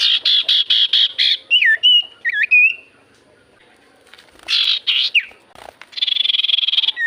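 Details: Javan white-eye song played as a lure so other birds reply: a rapid series of buzzy high notes, twisting slurred whistles, a pause, more buzzy bursts, then a fast even high trill to the end.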